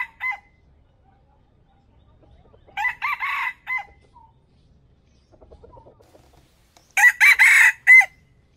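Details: Red junglefowl cock crowing, a standard lure crow used on trap speakers: three short, clipped crows a few seconds apart, each a hoarse run of syllables that breaks off abruptly, with faint rustling in between.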